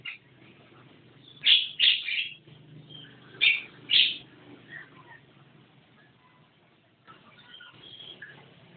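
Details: Javan myna singing "gacor" with two pairs of loud, piercing squeaky notes in quick succession, followed by softer, scattered chattering that fades toward the end.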